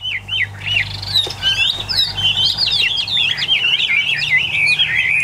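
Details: Caged tame Chinese hwamei, bird number one of eight, singing well: a few looping whistles, then a fast, continuous string of bright slurred notes rising and falling, building toward the end.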